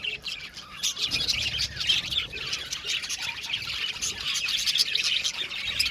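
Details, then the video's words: Budgerigars in an aviary colony, Australian parakeets, giving dense overlapping chatter: busy warbling and chirping notes packed together without pause, with a few harsher squawks mixed in. "Beautiful budgies singing sound | budgies chirping sound"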